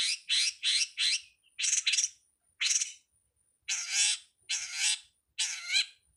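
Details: Long-tailed shrike (codet/pentet) master recording for songbird training, 'ala anak rimba': loud harsh buzzy rasps in a fast run, pauses, then longer scratchy churring notes with a lower rattling undertone.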